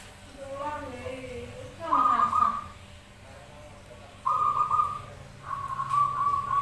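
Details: Zebra doves singing back and forth, used as a lure: a low voice-like sound at first, then three bright trilled coo phrases, the last two following closely one after another.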